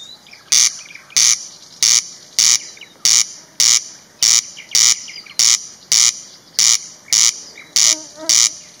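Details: Corn crake (Crex crex) calling at dusk in a village, repeating its dry, rasping two-part crex-crex over and over at a steady pace; song.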